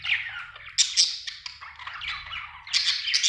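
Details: A budgerigar chatters steadily, mixing scratchy warbles with sudden sharp high squeaks near the start and a louder burst of bright chirps at the end.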